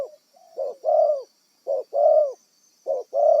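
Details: Decoy spotted dove, originally a wild bird, calling in a rhythmic series of two-part coos, short note then longer mellow one, repeated three times over a few seconds with a thin steady hiss in the background.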